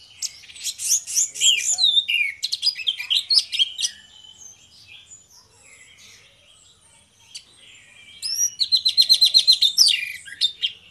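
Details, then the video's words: Two orange-headed thrushes singing in the loud ngeplong style: rich, fast sequences of high whistled and chattering notes, a dense burst in the first four seconds, a pause, then a rapid repeated trill near the end. "DUO ANIS MERAH NGEPLONG GACOR, PANCINGAN ANIS MERAH BIAR BUNYI"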